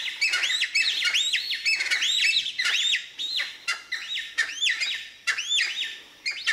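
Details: A male Cheer pheasant calling in his territory at Manila, Uttarakhand, gives loud, harsh chirping notes, each quickly rising then falling, repeated in rapid overlapping bursts several times a second.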